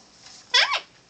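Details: Pet Bare-eyed Cockatoo, a one-year-old female, gives one short, loud, arching harmonic "hi" while perched with its owner indoors. The room is otherwise quiet.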